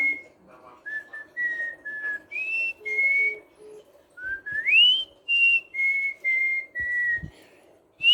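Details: An albino ruby-eyed cockatiel, able to sing along to melodies, whistles a run of clear, steady notes, some level and some sliding upward.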